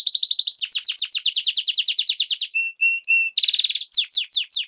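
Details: Continuous loud song from a European goldfinch × canary hybrid: quick repeated sweeping notes, a brief run of pure whistles, then a dense buzzy trill and more rapid sweeps.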